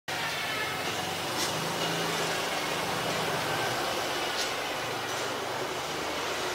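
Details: Steady broadband vehicle rumble, like a passing car or train, fills the whole recording with no clear animal calls.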